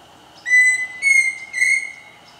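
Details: A Pheasant Cuckoo (Dromococcyx phasianellus) at Chapada dos Guimarães, Mato Grosso, Brazil, gives three pure whistled notes, the later ones slightly higher and wavering at the end, over a steady insect hum.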